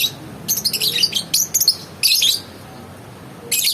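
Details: Shrill, rapid chattering from a lovebird: dense runs of harsh, high squeaky notes packed together, a short pause, then another piercing burst at the end.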